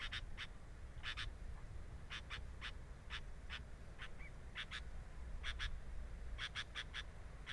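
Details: At a sooty-headed bulbul nest with a camera placed there, scratchy buzzy notes come in pairs and short bursts, with one brief soft rising whistle in the middle, over steady low background noise.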